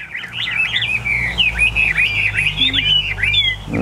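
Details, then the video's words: A tame Chinese hwamei, bird number one of eight newly arrived caged birds, sings loud, looping whistled phrases with quick upslurs and downslurs, steady over a low hum, while a man talks about the birds. "8 em hoạ mi thuần, mới về phục vụ anh em | Hoạt Họa Mi"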